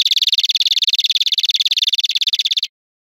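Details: European greenfinch, from a teaching recording of wild birdsong, producing a single dense, wheezy, rattling trill of fast pulses lasting under three seconds.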